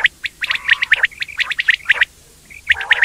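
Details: Indian quail chattering: a steady stream of sharp high chirps over a faint lower churr, then a brief pause and a fresh burst of chirping.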